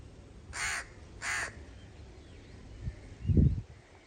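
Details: Crow uttering two harsh caws about two-thirds of a second apart, followed by a low dull thud near the end.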